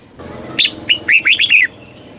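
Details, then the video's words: Caged red-whiskered bulbul from Thailand singing a southern master-style phrase, used to stimulate caged birds and teach young birds: one quick phrase of about six bright, warbled, downslurred whistles, then quiet. "เสียงนกกรงหัวจุก สำหรับต่อ หรือ เปิดให้นกคึก"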